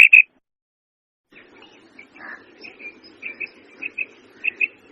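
A female quail gives clear, high notes, a sharp pair at first and then soft paired notes about every two-thirds of a second, over a low steady hum.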